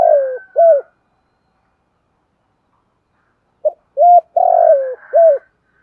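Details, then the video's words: Spotted dove cooing, a voice for training young doves: the end of one phrase with a rolling note and coo, then a silent gap and a new phrase of pip, coo, long burry note and closing falling coo. "Tiếng chim cu gáy tập bổi và mồi kích thúc giúp nhanh nổi và xiêng gáy"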